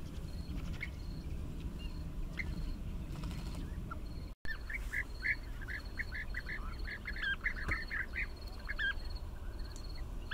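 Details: Bee-eaters in a busy chorus: after a quiet start with scattered notes, many short rolling, arched calls overlap rapidly, backed by a regular ticking insect and a deep wind rumble.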